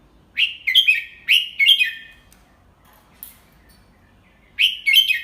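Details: Red-whiskered bulbul tutor bird singing the 'double 3' style, slow and clear, for young birds to copy: two lively whistled phrases in quick succession, a pause with a faint click, then a third phrase begins.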